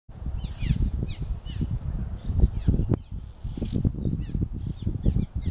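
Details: Cliff swallows at the Yocona River bridge, Lafayette County, Mississippi, on a sunny, warm 75°F day on 15 May 2020, give short, squeaky chirps in quick scattered bursts, several calling at once over a steady low rumble of wind or water.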